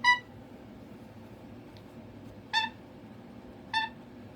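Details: Cockatoo at home seeking attention, three short, separated squawks over four seconds against a quiet room background.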